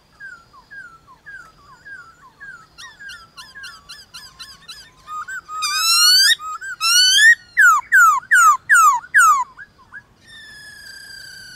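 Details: Morning song duel between a White-cheeked laughingthrush and wild birds of its kind: soft, quick repeated whistled notes build into louder rapid trills, then loud down-slurred whistles about twice a second, ending on a steady soft tone.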